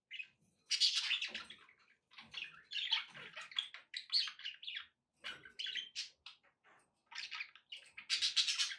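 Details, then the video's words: Several budgerigars chatter continuously indoors: overlapping raspy warbles, squeaks and chirps in busy bursts, with faint splashing-like background noise. "budgie sounds with background noise for relaxation"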